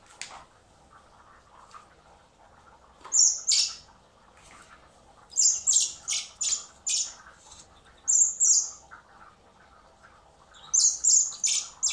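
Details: Hand-fed common blackbird chicks in spring at a wildlife recovery centre, before release; repeated high shrill begging squeaks in fast clusters over a steady low hum and handling sounds.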